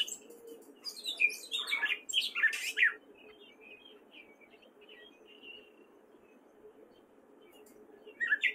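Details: Gray catbird singing in spring in Fairfield, Iowa: a few loud scratchy, buzzy notes in the first three seconds, followed by soft quiet twittering and a final squeak.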